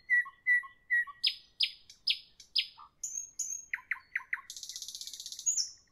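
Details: Nightingale song in the evening: three soft whistles with low echoing notes, loud sweeping phrases repeated four times, then a pure high whistle, quick chirps, and a long fast buzzing trill.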